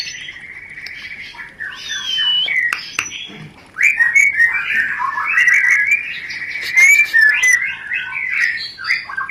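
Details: White-rumped shama mating lure song, a long series of whistled and chattering phrases, quieter at first then louder after a short gap, with sharp clicking notes and rising whistles mixed in.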